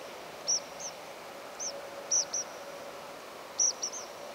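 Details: A group of Tree Pipits migrating at night, late August 2021 at 6:25: short, high, buzzy flight calls, some strongly modulated and some less so, several in quick pairs, scattered over a few seconds above a faint steady hum.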